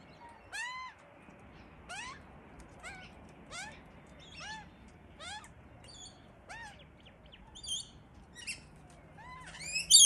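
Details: Australian magpie family raising chicks: fairly quiet, rising harmonic calls repeated about once a second, mixed with a few short high chirps and a loud burst at the end.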